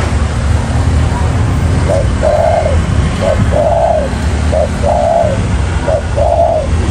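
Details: Wild-caught spotted dove cooing: four repeated phrases, each a short low note followed by a longer, slightly descending rolled coo, spaced about every 1.5 seconds, over a steady low rumbling background.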